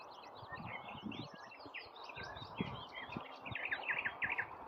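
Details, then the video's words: Nightingale singing: a rapid, varied run of whistled, chirping and trilled phrases, some rising and falling, with a louder burst of sharp notes near the end over a steady low background hum. "Nightingale singing夜鶯大展歌喉"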